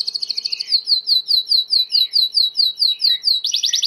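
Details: Timbrado canary singing a training song: a fast high trill, then a run of evenly spaced rolling notes about three per second, ending in a sudden loud rapid burst.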